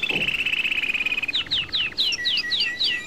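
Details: European goldfinch (Carduelis carduelis) singing: a steady high whistled tone for over a second, then a run of quick down-slurred chirps, about three per second, with thin high upper notes.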